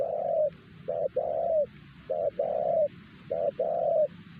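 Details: Spotted dove, a loud wild bird at Siosar trapped using a decoy, calls in a clear regular pattern: one short coo, then a longer falling coo, repeated three times within four seconds, close and clean.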